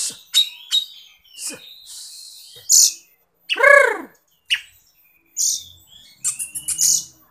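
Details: Oriental magpie-robin (kacer) song used as a lure or master: sharp clicks, harsh rasping notes and one loud descending harmonic squawk, separated by short pauses.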